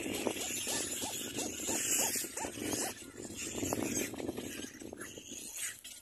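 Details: Nestling little black cormorants begging and jostling for food from their mother, giving a steady series of short arched squeaky notes, rising then falling, repeated roughly twice a second over rustling and hiss.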